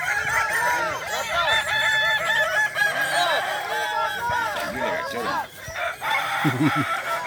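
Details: Kukuak Balenggek roosters competing in a class boko crowing final at Sirukam Dairy Farm, Solok regency, many long segmented crows overlapping, then a short lull and a lower clucking note near the end.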